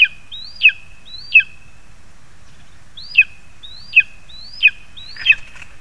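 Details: Lesser spotted eagle adults bringing prey to the nestling, August 2020: a run of three high yelps, a pause of nearly two seconds, then four more sharp rising-and-falling calls, the last slightly harsher.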